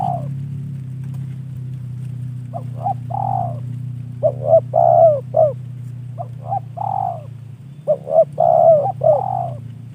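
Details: Spotted dove kept as a trained hobby bird delivering repeated phrases: short clipped coos leading into a longer drawn-out note, repeated several times over an even low droning background.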